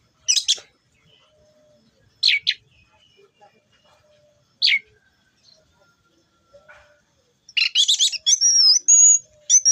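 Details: Orange-headed thrush, described in Indonesian as 'teler', singing: three short, sharp, high chirp bursts spaced about two seconds apart, then a dense, varied phrase mixing harsh rapid notes with clear whistles, including a falling whistle near the end.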